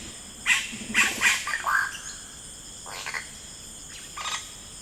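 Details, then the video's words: Yellow-rumped cacique in rainforest: a few loud, scratchy squawks and slurred notes in the first two seconds, then softer harsh calls, with a low buzzing sound briefly beneath and insects humming high. "1 Hour of Yellow Rumped Cacique Sound"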